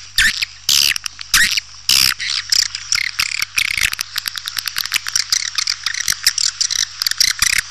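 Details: Swiftlet sound for attracting birds, made of dry, rattling clicks and buzzy bursts that come quickly one after another and speed into a rapid clicking series.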